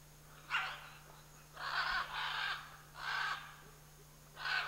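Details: Scarlet macaws, a pair in the Chiquibul area, calling with a run of five loud, grating squawks at uneven intervals, each rough and broadband, over a constant low hum.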